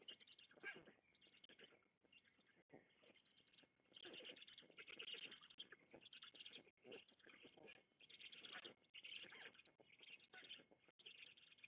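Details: Black storks feeding at a nest in the Łódź region of Poland on 16 June 2021, giving long runs of hoarse, wheezy rasping in bursts of about one to two seconds, separated by short pauses.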